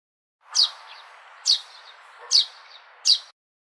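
A sparrow gives four bright, sharp chirps, a little under a second apart, over a steady background hiss.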